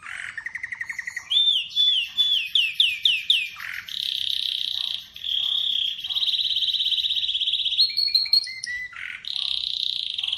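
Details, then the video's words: Atlantic canary singing a varied song: steady buzzy trills, a run of rising whistled sweeps, long sustained rattling rolls and sudden pitch shifts, loud and continuous throughout with no other clear sounds. "Atlantic Canary sings in an amazing voice"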